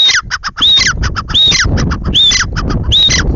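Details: Grey francolin in full voice: a rapid, regular series of loud phrases, each mixing clipped harsh notes with a ringing whistled note that slides downward, repeated about five times over steady low background rumble.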